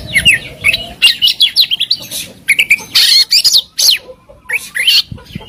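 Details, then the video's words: Hobbyists' contest bird, Oriental magpie-robin, sings a full-fill masteran: rapid choppy phrases of rising and falling whistles and harsh bursts, pulsing several times each second with short breaks. "Masteran Mewah Burung Kacer Full Isian Dan Tembakan"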